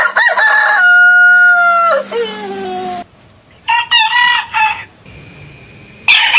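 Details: A rooster gives a long, steady crow that slides down at its close; it is followed by several short, choppy crow fragments and a faint level tone.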